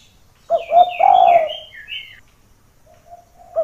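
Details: Spotted dove, a lively calling bird used as a lure to bring other doves down toward a rival's voice: a low, rough, stuttering coo phrase with a drawn-out middle note. A second bird gives higher whistled, slurred notes at the same time.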